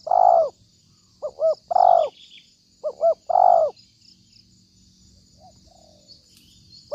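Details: Cooing of a spotted dove used to lure birds for trapping: a long hollow coo, a quick double note, another long coo, repeated once, then near silence with only faint hiss.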